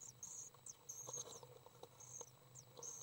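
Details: Three young common swifts during a feeding session on 30 May 2012; thin, high-pitched squeaky calls in short bursts, repeated several times a second, over a low hum with soft tapping and rustling sounds.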